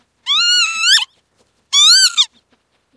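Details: Loud, wheezy calls of a Northern lapwing, about three-quarters of a second long, with a wavering middle and a sharp upward twist at the end. Two full calls are heard, and a third begins just as the clip ends.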